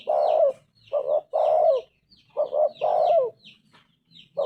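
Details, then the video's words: Mellow spotted dove coos in a steady cycle: short double note, then a long coo that bends downward. Thin high chirps of small birds are heard throughout. "Tekukur gacor suara emas"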